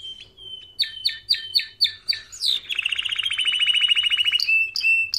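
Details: Training song of a canary: a run of short repeated two-tone chirps, a sharp upward sweep, then a long rapid rolling trill closing with bright whistled flourishes.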